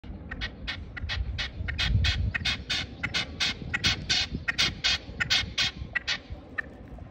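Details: Red-legged partridge in Paguera, Mallorca, giving a long run of harsh, chuffing notes, roughly three a second, over a low rumble of wind or traffic.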